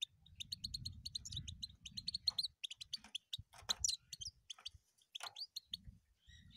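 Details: European goldfinch singing a rapid run of twittering, tinkling notes, bright chirps and short trills packed closely together, with low rumbling noise in the background during the first seconds.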